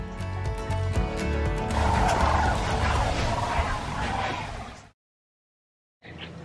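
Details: A dense chorus of sandhill cranes during the spring migration in Nebraska, USA, with thousands gathering, gives rolling, rattling bugles over a steady low hum, breaking off into a moment of silence near the end.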